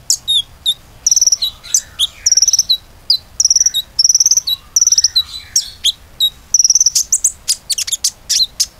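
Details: Common iora song played as a lure to provoke singing: buzzy high trills of rapid pulses broken by short dropping whistles, ending in a fast cluster of sharp chips.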